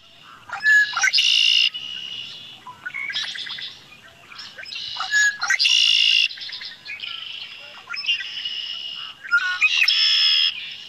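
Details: Red-winged blackbird songs in spring, a sound that marks spring's arrival in Quebec, sung by males to attract females: short clicky lead-in notes, then a harsh, buzzy rattling trill, about six songs in quick succession, some overlapping.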